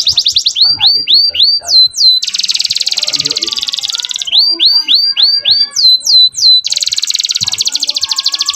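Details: Young canary song to bring female canaries into breeding condition: alternating runs of looping downslurred whistles and long dense high buzzing trills, repeated in two cycles, with faint low background noise.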